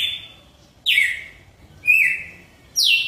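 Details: Galo-de-campina, the red-cowled cardinal, giving the "pai filho espírito santo" song: three bright whistled notes, one falling, one short and level, one dropping steeply, spaced roughly a second apart against a quiet low background.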